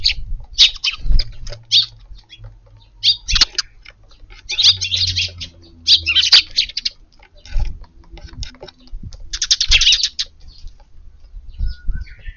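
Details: Several Eurasian tree sparrows at a garden feeding spot on a windy evening, 22 April, huddled and sometimes craning their necks warily; repeated clusters of bright, high chirping, with brief pauses, over low wind and handling noise.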